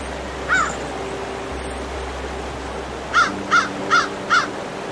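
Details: Single hoarse caw from an American crow, then after a long gap four quick, evenly spaced caws, with a quiet steady hum throughout.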